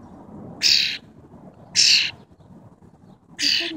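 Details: A tame wild cowbird repeats a short scratchy hissing note three times at uneven intervals of about one to one and a half seconds, with quiet low noise underneath.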